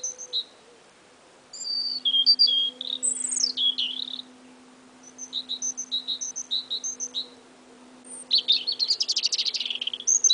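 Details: Spring duet by two little birds: high thin whistles, a descending slurred note and repeated paired chirps, ending in a rapid buzzy trill, with a faint steady low hum underneath.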